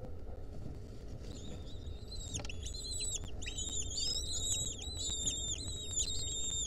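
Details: Several wild lesser kestrel nestlings, with a centipede clinging onto them, recorded in 2023. After a quiet opening, high whining calls build up and overlap, growing denser and louder through the second half.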